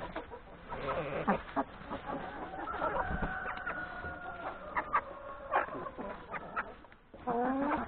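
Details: Hens with three roosters at breakfast in a yard before heading to the forest to graze; scattered clucks under a sustained, level crowing note lasting about two seconds, then a loud burst of calls at the end.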